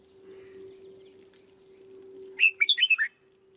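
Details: Caged red-whiskered bulbul, a decoy bird in training: a series of five soft thin high notes, evenly spaced, precedes a loud bright phrase of six rapid warbled notes, with a low steady hum underneath.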